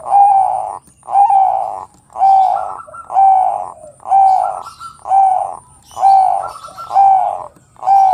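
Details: A Bangkok-type zebra dove (Geopelia striata) sings a steady run of soft, rolling coos, about one phrase a second, each with a slight rising lilt, with faint high chirps behind. The song is meant to provoke other doves to sing.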